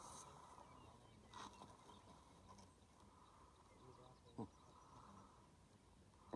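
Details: Lesser prairie-chickens displaying in Kansas in 2018 give a soft, continuous bubbling, gobbling chorus at mid pitch, with a few sharp pops and clicks over faint wind: the display call.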